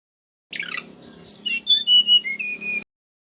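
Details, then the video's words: Male mangrove whistler, recorded as a lure: a buzzy start, very high piercing whistles, then descending clear notes settling into level whistles, over a faint low hum. "Suara Asli Burung Tledekan Bakau"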